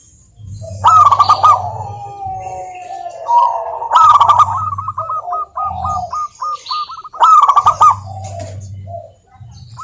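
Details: A lure of local zebra doves to start quiet birds singing: loud bursts of rapid stuttered coos at roughly four-second gaps, followed by evenly spaced chains of short clipped coos from another dove.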